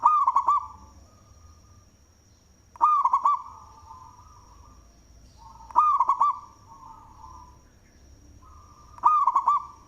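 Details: Loud-voiced local zebra dove singing, kept as a lure bird: four bursts of quick clipped coos with rolling looped endings, spaced about three seconds apart, over a constant thin high whine and low background rumble.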